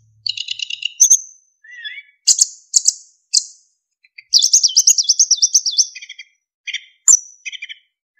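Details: Narcissus flycatcher singing continuously with varied filler phrases and clear whistles, recorded as a tutor for other songbirds: chattering high notes, a long rapid buzzy trill and short rising whistles, with no background noise.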